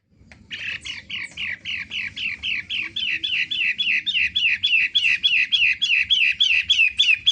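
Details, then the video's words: A long-tailed shrike of the 'matahari' type, locally called pentet or cendet, singing energetically (gacor). It gives a fast, steady series of harsh chirped notes, about three or four a second, for several seconds over a faint low rumble. "suara asli PENTET matahari gacor"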